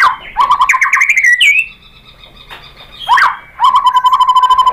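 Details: White-rumped shama song as a lure to make other shamas sing: rapid low rattling trills alternating with rising whistled slurs, a quiet pause, then another fast steady trill.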